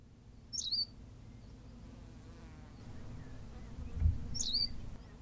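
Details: Berthelot's pipit on La Gomera in the Canary Islands: two short high chirped calls, each a quick falling-then-rising note around a second apart early and late in the clip, with low rumbling background noise throughout.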